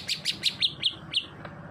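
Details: Greater green leafbird in full-voiced song, called narung: a quick series of seven loud, sharp chirps, each swooping down to a mid-high pitch, evenly spaced about every fifth of a second.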